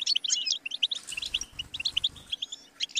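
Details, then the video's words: Sharp, bright goldfinch twitters and short whistled notes in a quick, uneven sequence. A soft low rumble runs beneath the middle of the song. "The Motivating Anthem of the Goldfinch Bird"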